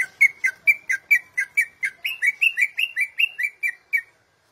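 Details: Greater green leafbird, described as a national champion singer used as a tutor for other birds, giving a run of about fifteen repeated whistled notes near two to three kilohertz, each slurring up and down, evenly spaced before stopping.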